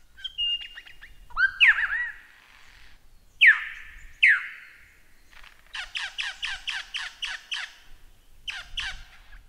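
Lyrebird song: a thin whistle, loud ringing downward swoops, then a rapid string of harsh pulsed notes and a final burst, like a medley of mimicked sounds.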